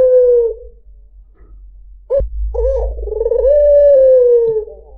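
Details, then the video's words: White dove coo meant to attract other birds: a falling coo fades out, then after a brief knock the bird gives a long rolling phrase gliding slowly downward. "PANCINGAN SUARA BURUNG PUTER PUTIH || SUARA BURUNG PUTER MERDU"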